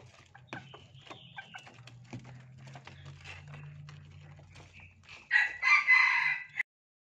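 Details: Red junglefowl kept for breeding: after soft scattered clicks and taps, a loud harsh harmonic call bursts out in three quick rising pulses lasting just over a second, then stops abruptly.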